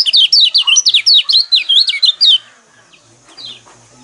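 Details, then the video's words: Lemon-bellied white-eye, a sound used to provoke caged birds into singing: a rapid run of high, sharp, twittering chirps, about two per second-fraction, bursting loudly for over two seconds, then fainter scattered notes against a quiet background. "burung pleci kecial kuning mana yang nggak kepancing emosinya dengan suara seperti ini"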